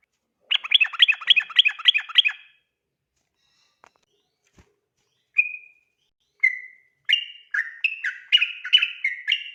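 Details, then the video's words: Yellow-vented bulbul (trucukan) singing ropel at night as a tutor recording: a two-second burst of fast, chattering notes, a quiet gap with faint clicks, then single whistles building into quick, alternating whistled phrases. "burung trucukan ropel ngotot dimalam hari cocok buat masteran agar cepat ropel malam"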